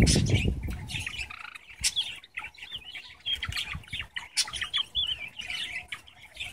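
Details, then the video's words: Male Java sparrow, a 4.5-month-old pet singing outside on a nice day: a steady stream of soft clicks and chips with wavering, bell-like tonal notes, over a rumble of low background noise. "The Song of a Java Finch"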